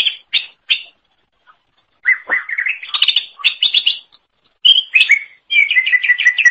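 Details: Greater green leafbird, recorded as a tutor song for training songbirds, delivers three quick chirps, then a varied warbling phrase rising into a rapid stutter of repeated bright notes, then further chattering trills.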